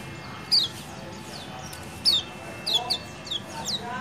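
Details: Ciak ciak calls of a lemon-bellied white-eye, played as a lure for a quiet bird: thin, high, downslurred chirps given singly or in pairs, about every half second to second, over a steady low hum.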